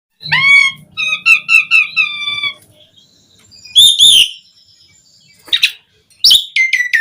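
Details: Asian pied starling song used as a lure to get starlings singing: harmonic whistled notes with a fast trill series, then loud harsh squawks and short whistles after pauses.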